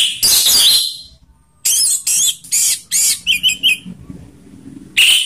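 Orange-headed thrush song: loud, high, rich phrases of harsh notes and bright whistles, delivered in bursts with short pauses, ending in a quick run of repeated clear whistles.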